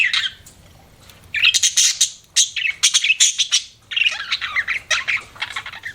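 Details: Pet budgerigars chattering: after a quiet start, loud bursts of harsh, buzzy warbles and sharp chirps follow in rapid clusters, high-pitched and scratchy throughout.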